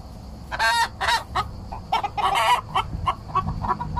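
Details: Araucana hen singing as she drinks, stirring up neighbouring roosters: several raspy, loud squawks in irregular bursts, then a trail of shorter clucking notes, with a constant hiss behind.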